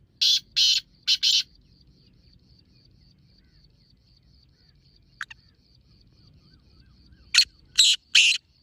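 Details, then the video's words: Black francolin calling, played to lure francolins: a harsh three-note burst opens, then quiet with a thin steady high whine, then another grating three-note burst at the end. "Black Teetar Calling Sound"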